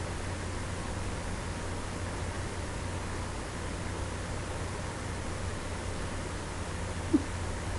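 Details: Indoors, a constant low hum and hiss runs throughout, broken only by a single faint tap near the end, with no animal voice heard.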